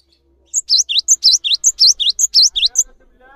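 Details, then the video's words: Steady, active cinereous tit singing as tutor material for other birds: about four rhythmic phrases of high ringing notes and swooping descending whistles, ending with a faint squeaky sound afterward. "GELATIK BATU GACOR ANTENG UNTUK MASTERAN"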